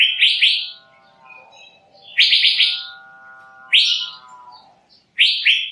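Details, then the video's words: Lure call of a male Asian fairy-bluebird: loud harsh rasping bursts, each a quick cluster of buzzy notes, repeated about every one and a half seconds, with a faint steady tonal drone lingering between them. "Suara pikat burung cucak biru jantan"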